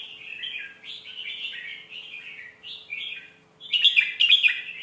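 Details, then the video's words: Red-whiskered bulbul delivering a melodious phrasing style meant to teach young birds: a chain of short, even, downslurred warbled notes, then a brief pause and a louder, richer closing burst. "เสียงนกกรงหัวจุก สำนวนเพราะๆ เปิดสอนลูกนก"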